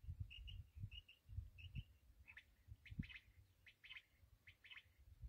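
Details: Black francolin (kala teetar) calling: short paired whistled notes repeated about every half second, then harsher, rasping notes in quick bursts, set against a steady low rumbling background noise.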